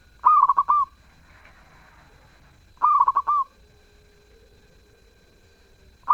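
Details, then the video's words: Zebra dove in active, melodious song. Trilled coo phrases repeat roughly every two and a half seconds. Each has a short rising lead-in, a rapid burst of clipped beats and a longer closing note. A third phrase begins at the very end. "Perkutut gacor suara merdu"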